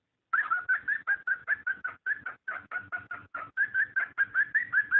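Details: Cockatiel giving a mating call meant to encourage pairs to breed: a steady run of about twelve harsh, slightly rising chirps, roughly two or three per second, with nothing else audible.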